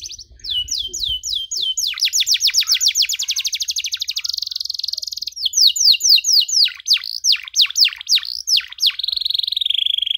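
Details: Canary in full, long-running song used as a training model for young canaries: rapid repeated downslurred notes, a fast buzzing trill, then rolling phrases of sweeping whistles, all high and sustained without pause.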